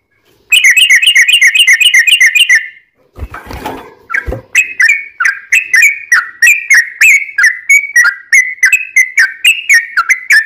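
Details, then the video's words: Yellow-vented bulbul singing as a lure to get other bulbuls calling: a fast rattling trill of clicked whistles, a short burst of noise, then a long run of bubbly, slurred whistled phrases repeated steadily. "trucukan gacor ROPEL PANJANG buat pancingan trucukan agar bunyi JADIKAN burung trucuk gacor NYAUT"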